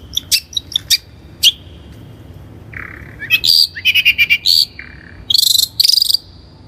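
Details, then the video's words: Long-tailed shrike, or cendet, in a vigorous lure song for training birds: scattered high chips, then a harsh buzzy rattle, a lower whistled note and fast scratchy bursts of chatter. "THE LONG - TAILED SHRIKE SOUND"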